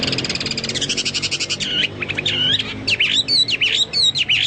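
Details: Chinese hwamei in energetic song, likened to cucak Papua or cucak mas: a fast chattering trill opens, then loud looping whistles sweep up and down in a varied, rapid sequence.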